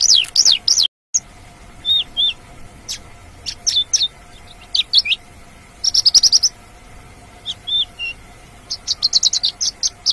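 A Mongolian lark sings a lively, high-pitched song of rapid chirps, trills and varied whistled notes in quick bursts, with a faint steady hum behind.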